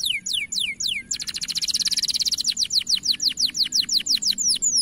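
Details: Bright-coloured canary singing a powerful, high-pitched, long training song: quick downward-swept whistled notes, then a fast dense buzzy trill, then a steady run of sharp sweeping chirps, about three per second.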